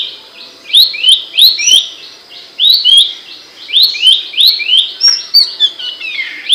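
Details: Abbott's babbler singing loudly and sharply, recorded for training songbirds: quick series of slurred, rising notes repeated in bursts, with high clicks between, one sharp snap near the middle, and a steady low background hum.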